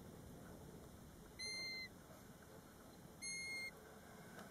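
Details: Near a roadside nest at Batsfjord, a European golden plover recorded from a car gives two pure, mournful whistles, each about half a second long and slightly falling, spaced nearly two seconds apart, over faint constant low rumble.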